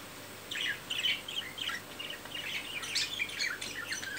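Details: Budgerigars during mating and courtship: soft, rapid warbling chirps and chattering notes in short bursts, fairly quiet against a steady background hiss.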